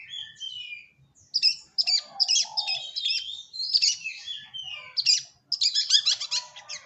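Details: Long-tailed shrike singing whistled slides and high chirps, then mixed lower warbles and a final burst of rapid scratchy chatter.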